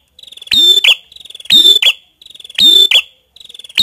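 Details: A prinia known locally as prenjak kepala merah gives rapid soft ticks that swell into a strident, buzzy, high double note. The phrase repeats about once a second against a quiet background.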